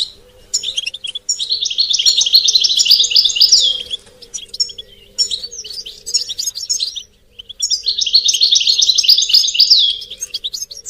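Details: European goldfinch mating and readiness calls for stimulating caged males: two long bursts of fast, jangling trills and twitters separated by sparse chirps, faint wavering low tone underneath.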